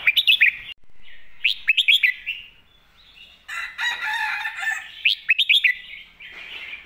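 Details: Red-whiskered bulbul delivering a clear master song as a model for young birds. Bright, bubbling whistled phrases of four or five quick notes repeat about every one to two seconds, with one harsh, noisy call in between.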